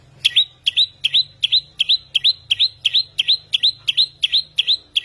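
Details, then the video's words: Samyong in vigorous song: one sharp, upswept chirp repeated rapidly and evenly, close to three times per second, each note clean and high over a quiet low background hum. "Burung samyong gacor 1001 suara"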